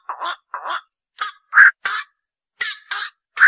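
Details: A rough, croaky series from a black-crowned night heron: two lower raspy squawks, then louder harsh calls in pairs, ending on a strong hoarse note.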